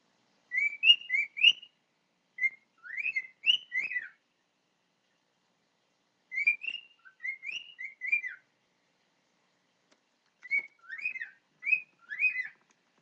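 A cockatiel sings short bursts of clear, bright whistled phrases with brief pauses between.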